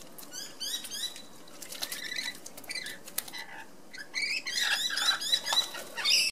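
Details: Rainbow lorikeets, two birds, bathing in Sydney one afternoon, giving fast, shrill, chattering squeaks in dense bursts, alongside wing flutters and splashing water.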